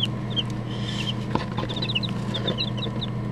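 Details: Several chicks huddled in a cardboard box give repeated high, piercing peeps that drop in pitch, scattered throughout and overlapping, over a constant low droning hum.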